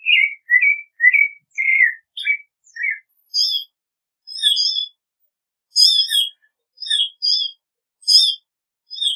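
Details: Clay-colored thrush song: a few rich, slurred whistled notes open, then a stretch of higher, thinner chirps with layered overtones in short spaced bursts.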